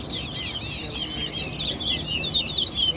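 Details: Competition towa towa at Guyana National Stadium pouring out quick chirps and slurred whistled notes, densely packed and varied, with steady background crowd noise.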